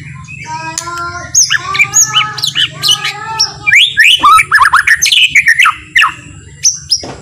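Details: Gentle, slow-paced white-rumped shama song used as a lure to make other shamas sing and grow agitated: harmonic buzzy notes, then dense bursts of sharp whistled phrases, fading to sparse notes.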